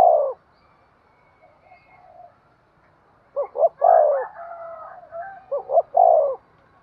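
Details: Low cooing of a spotted dove, played to encourage breeding: a coo ends at the start, then after a pause two full phrases of paired short hoots and a long coo follow.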